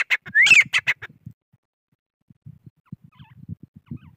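A grey francolin gives a quick burst of loud, harsh, shrill notes, one sliding upward, lasting about a second. Soft low thumps follow.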